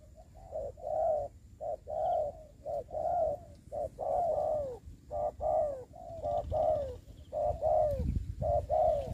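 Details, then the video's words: Decoy spotted dove in a ground trap, producing a rapid regular run of soft coos, short notes alternating with longer falling ones, about one per second, with low background rumble. "bẫy cu gáy cùi bắp clip17(bẫy cu gáy mồi đất ) đánh cu gáy"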